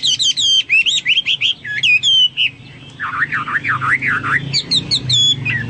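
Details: Hwamei singing in a loud, varied run of whistled phrases: rapid repeated hooked notes, then a string of deep swooping slurred whistles, closing with bright high repeated figures over a faint low hum.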